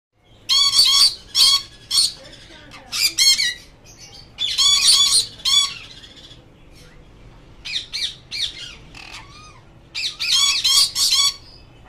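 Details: A sun conure parrot gives loud, harsh, high-pitched squawks in repeated bursts.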